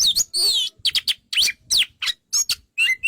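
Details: White-rumped shama (kacer) delivering rapid, energetic song: dense series of high, twisting whistles, sharp chips and a wavering slurred note, all packed into quick bursts.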